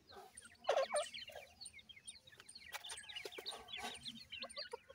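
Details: A brood of francolin chicks being fed and cared for, a louder warbling note near the start, then a dense chorus of tiny descending peeps over sharp clicks and rustling.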